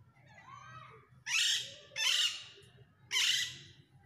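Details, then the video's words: Crow in jungle giving three harsh, raspy caws, each about half a second long and loosely spaced, after a few faint, thin whistled notes, possibly from a parrot. "parrot and crow duet..कौआ और तोता"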